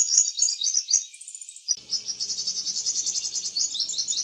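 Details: Backyard song of a purple sunbird in eclipse plumage: continuous, rapid, high-pitched tinkling twitter over a faint low background hum.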